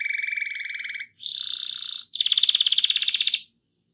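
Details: Canary rolling song used to prompt other canaries to sing: three rapid trilled tours in turn, a steady low rattle, then a buzzy higher roll, then a louder pulsed roll, each about a second long with brief pauses, no other sounds.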